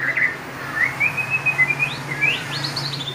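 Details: White-rumped shama giving loud, clear song: thin whistled notes, some sliding up and down, with higher rising whistles near the end, over a steady low hum.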